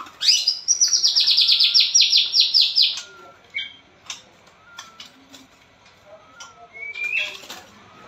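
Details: White-rumped shama of the blorok type used as a singing lure for a quiet shama: a rapid high trill of repeated chips, then sparse short whistles and clicks, closing with a rising whistle.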